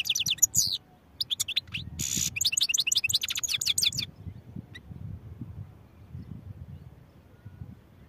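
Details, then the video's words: European goldfinch song packed into four seconds: clipped high chirps, a harsh buzzy note, then a fast rattling series of twittered notes, then quiet low background hum. "goldfinch songs | goldfinch singing"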